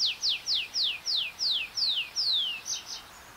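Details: Tree pipit singing from the ground with a shortened strophe: a series of loud, high whistles each sliding steeply downward, roughly three a second, ending in a longer drawn-out descending note and a few faint chips.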